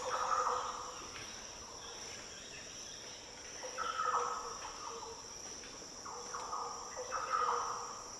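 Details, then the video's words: Green orioles (Oriolus flavocinctus) in the Daintree rainforest, tropical northern Australia, give deep, liquid, fluty warbled song phrases about every three seconds, often as countersinging between birds, over a steady high insect drone. "The deep, liquid calls & song of Green Orioles"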